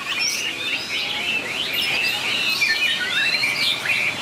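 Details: Contest-singing white-rumped shama: a flowing, melodic chatter of rising and falling whistles, with occasional clear upslurred notes, continuous and even in volume.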